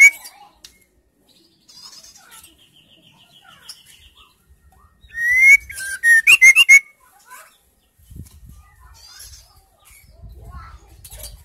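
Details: Female white-rumped shama in song to encourage silent males: faint soft notes and a brief buzzy trill, then a loud phrase of a rising whistle and a quick burst of sharp notes, followed by quiet low rustling.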